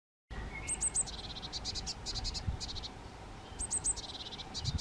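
Eurasian nuthatch giving quick bursts of sharp, clipped notes in short runs, with a few thin, very high notes and a low rumble behind.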